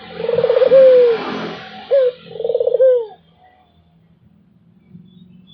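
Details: Barbary dove giving two rolling coos, each a brief rising note then a vibrating, descending coo, followed by near silence with faint low hum.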